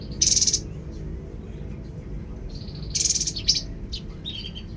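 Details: Tepus babbler song: two loud, rasping, buzzy bursts about three seconds apart, separated by level, high, thin trills, with faint background hum.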